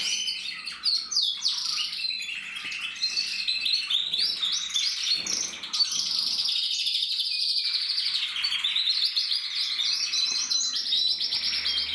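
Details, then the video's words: Singing canary cock from 2024 keeps up a long, unbroken stream of high warbles, buzzy rolls and repeated trills, changing pattern every few seconds. "Kanarienvogel 2024"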